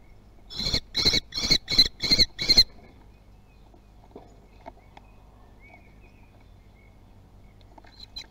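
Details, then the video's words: Common kestrel at the nest in Théding on 18 June 2020, as an adult brings in a lizard. A quick series of five sharp, high calls is followed by near silence and faint rustling. "Livraison d'un lézard"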